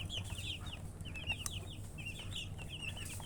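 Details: Young chicks peep in a lively stream of short, piercing, downward-curving notes, several birds overlapping, while a soft low hum runs throughout.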